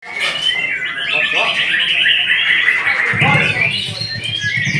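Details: White-rumped shama singing a dense run of whistled and chattering notes, fast and rapidly changing in pitch, with a low rumbling hum joining after the third second.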